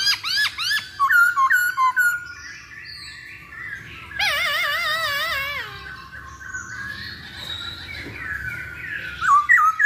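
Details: Masked laughingthrush singing, played as a lure to make birds sing: a rapid run of rising whistled notes, then a long wavering warble that falls in pitch, ending in renewed loud upslurred whistles.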